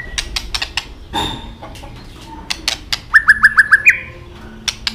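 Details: White-rumped shama, clicking and flapping its tail during fighting-song stimulation: scattered sharp clicks, then a run of five short identical whistled notes ending in an upward slur, with more clicks after.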